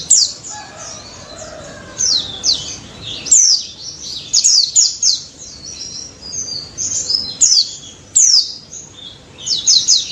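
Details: White-eye (pleci daput) singing in the lively 'ngalas nembak' style: high, thin chirping phrases of quick downslurred and wavering notes, delivered in bursts separated by short pauses.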